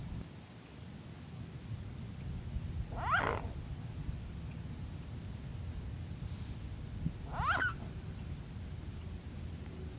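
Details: Two short, hoarse, whiny calls from a Mute swan, about four and a half seconds apart, each briefly rising in pitch, over a steady low background rumble.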